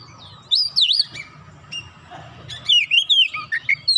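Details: Oriental magpie-robin in full, continuous song, used as a lure to set other magpie-robins singing: loud looping whistles early, then a fast run of varied chirps and slurred whistles after a short pause, over a low background hum.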